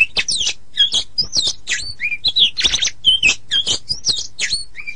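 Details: Master recording of an oriental magpie-robin for teaching other songbirds. Quick bursts of bright whistles alternate with rasping chattering notes, dense and continuous throughout.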